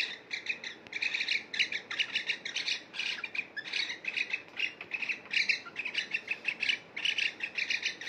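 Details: Two cockatiels bathing together produce rapid, rhythmic chirps, bright and slightly buzzy, pulsing in regular bursts about three or four per second with barely any gaps.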